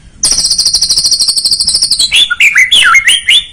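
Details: White-rumped shama lure song for a young bird: an extended fast, high-pitched rattling trill of nearly two seconds, then lively swooping whistled notes in quick succession.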